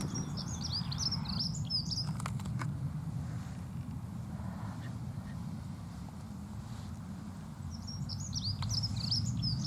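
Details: Two short bursts of high, rapid Dunnock warbling at the start and end, separated by a stretch of low droning noise and a couple of sharp clicks.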